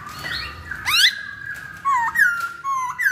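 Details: Chinese hwamei, locally poksay Hongkong, on a recording meant to lure birds: sliding whistled notes, a loud upward swoop, then clear phrases that drop and level out, repeated several times over faint background hum.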